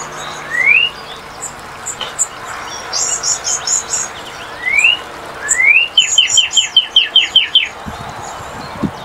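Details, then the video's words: Northern cardinal giving loud rising slurred whistles spaced a few seconds apart, then a rapid run of ten short down-sweeping notes, over light background hiss. "Découvrir le chant et la beauté du Cardinal du Nord"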